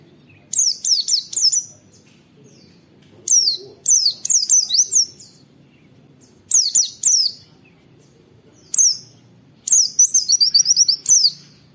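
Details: Oriental white-eye master recording of wit wit calls, meant to prompt other white-eyes to sing: clusters of high, sharply falling whistles, some runs of rapid trilled notes, grouped in bursts with brief silences between.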